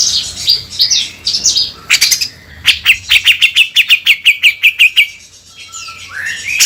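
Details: Actively singing cucak jenggot, or bearded bulbul, in harsh beset kasar style: scratchy warbling, a few loud harsh bursts, then a rapid run of about fifteen repeated sharp notes and a rising whistle.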